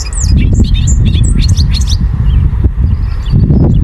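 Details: Male Bobolink near a field on 9 May 2023 gives a rapid, bubbling jumble of high metallic notes for about two seconds over a steady low rumble of wind or distant traffic.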